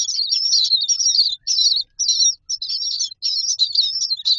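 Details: Nestling common mynas lined up in a nest box awaiting food, giving dense scratchy high chatters in long bursts broken by brief pauses, roughly two bursts a second.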